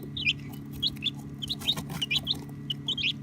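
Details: Baby chickens calling with short high peeps in small bursts, some doubled, recorded on a phone over a faint constant hum.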